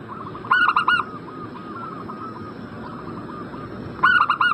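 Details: Zebra dove cooing played to coax a bird in breeding condition into replying: two loud phrases of four quick ringing notes about three and a half seconds apart, with softer, more distant doves cooing in between.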